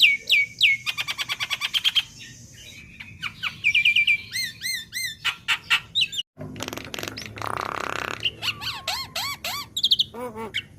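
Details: Juvenile black-winged myna, recorded as training material: rapid runs of sharp clicking notes, then ringing whistles, looping upslurred notes and a brief harsh rasp, in a varied, fast-paced song with a steady low hum behind.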